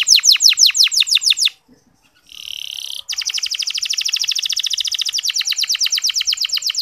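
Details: Local canary singing a clear, long training song meant to spur less eager male canaries into song: rapid descending sweeping notes, a short pause, a buzzy held note, then a long fast even trill.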